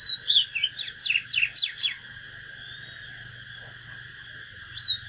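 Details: Fighting song from a natural Oriental magpie-robin: a quick, loud string of high whistles and sharp slurred notes for two seconds, then near silence with a low hum before one last whistle.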